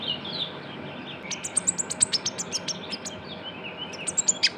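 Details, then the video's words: Juvenile kolibri ninja (Van Hasselt's sunbird) used as a lure sound, giving rapid high-pitched tweets in a quick run of about a dozen notes, then a short pause and a few more sharp chirps. "PANCINGAN KONIN TROTOL GACOR (KOLIBRI NINJA)"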